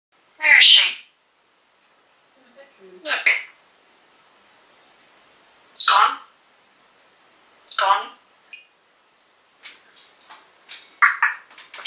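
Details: Caged pet African grey parrot talking, calling out a person's name: four loud separate phrases spaced about two seconds apart, then softer quick chatter and clicks toward the end in a quiet room.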